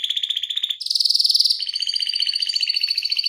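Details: Canary singing a long rolling tutor song for training other canaries: rapid trilled phrases, first a buzzy trill, then a higher shrill roll, then a steady bright rattling trill, each phrase fast and tightly repeated, no other sounds.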